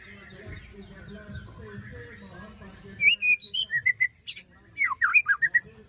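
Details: Post-moult lure recording of a white-rumped shama: a blurred, noisy first half, then clear rapid whistled notes and a quick series of steep falling besetan slurs.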